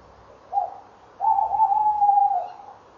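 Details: Tawny owls calling near their nest box on a late November evening, 2013, around 19:22: a brief opening note, a pause, then a long sustained wavering hoot of over a second, steady in pitch, with little other noise.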